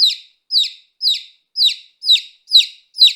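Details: Repeated high descending cheeps from a baby chick, seven in quick, evenly spaced succession against total quiet.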